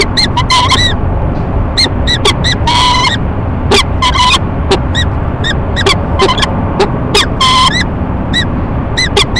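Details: Two peregrine falcons, a courting pair at a nest box atop a Rochester, New York building, on a March 2011 morning, trading loud ee-chupping: rapid clipped harsh notes in quick runs and a few drawn-out grating calls, with constant low urban hum beneath.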